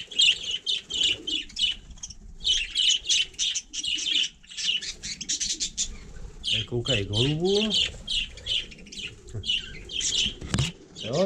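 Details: Budgerigar on snow in frost, chattering in fast, scratchy chirps and warbles almost without pause, with a brief low, drawn-out voice-like sound near the middle.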